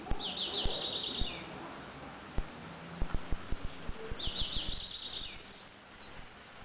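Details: Caged saffron finch from Trenque Lauquen, Argentina, singing in the repique, golpe and pitadas style; sharp high piping notes repeated, then fast buzzy trilled phrases with clicks and taps in the background.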